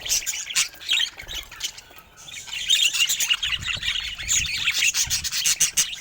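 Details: Colorful pet budgerigars chattering together, a dense mix of scratchy warbles, chirps and squawks that fades briefly midway and then swells again.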